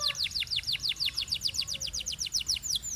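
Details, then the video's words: Canary singing in a Belgian style, a smooth, even chain of bright downward-sliding whistles at around seven per second. "This Canary’s Melody Makes All Birds Join In – Pure Belgian Singing"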